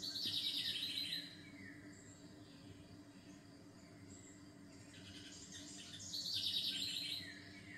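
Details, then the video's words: Bird song: two bursts of high, rapid trilled twittering, one at the start and one near the end, each about a second long with short falling tails, over a steady low background hum. "SONIDOS DE PÁJAROS RELAJANTES"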